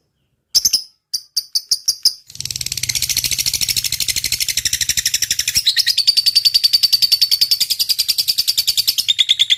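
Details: Lovebird in long, vigorous chattering song: a few separate sharp chips, then a sustained rapid buzzy trill of high notes running on for several seconds without a break.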